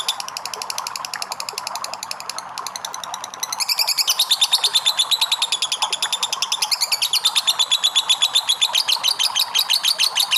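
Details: Lovebird ngekek starting as a softer, quick ticking chatter, then after about three and a half seconds bursting into a loud, shrill rattling run that carries on steadily to the end.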